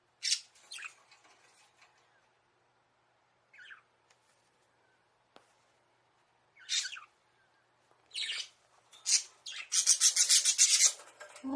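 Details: Caged budgerigars inside a small bird house, recorded by a hidden camera, calling as if asking their keeper to play: scattered short high chirps, then a dense harsh rasping burst of chatter near the end.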